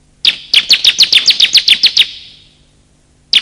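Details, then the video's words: Bar-winged prinia male and female calling, a lure to get silent birds singing and to draw wild birds: one even series of about eleven sharp, high chirps, then a lone note after a pause. "pikat suara burung ciblek"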